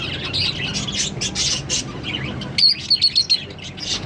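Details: Green Fischer's lovebird pair singing and chirping: rough, buzzy high chatter at first, then a quick run of four or five clear, thin chirps near the end over a steady low hum.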